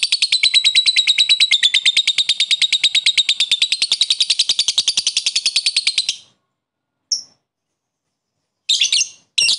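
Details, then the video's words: Ngekek, a long excited chatter from a lovebird calling a rival to raise other lovebirds' excitement: a continuous rapid stream of shrill pulses for about six seconds, then a few isolated sharp screeches. "Lovebird koek memanggil lawan di iringi ngekek mantap untuk menaikkan emosi lobet lain"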